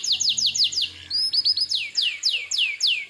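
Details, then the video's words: Canary singing as a lure to make other canaries answer: quick repeated down-slurred whistles, a brief pause with a rising note, then more swooping slurred notes about four per second, with faint low hum beneath. "suara burung kenari gacor ini paling ampuh untuk pancingan kenari agar Nyaut emosi"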